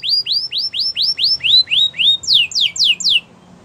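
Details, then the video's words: Training song of a canary: upward-slurred whistles repeated about four per second, shifting into steeply falling swept notes, then the song stops into quiet. "The Most Spectacular Canary Song!! Listen To This And Your Canary Will Sing A Lot"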